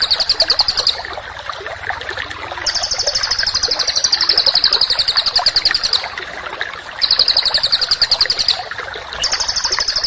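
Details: Songbird training recording for contest birds: dense high buzzy trills in bursts of a few seconds separated by pauses, over a constant background of lower rapid chipping notes.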